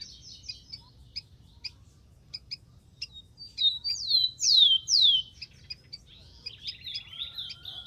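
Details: Song of a wild rufous-collared sparrow: scattered thin chips lead into two or three bright whistles sliding down in pitch, ending in a rapid buzzy trill, over faint low hum.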